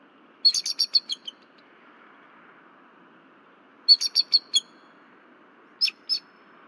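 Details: High-pitched staccato chitters from a female bald eagle on a nest camera at Berry College, 15 February 2023. Woken after 10 pm, she calls until her mate lands on a nearby branch. Two fast runs of five or six squeaky notes are followed by a pair of sharp notes.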